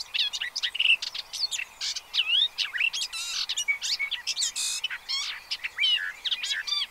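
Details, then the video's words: Pied avocets with chicks at an observatory in the Séné Nature Reserve, Gulf of Morbihan, France, on 30 April 2023, giving a busy run of sharp, clear, fluty calls, rising and falling, several birds overlapping almost without pause. "AVOCETTE Élégante/Poussins"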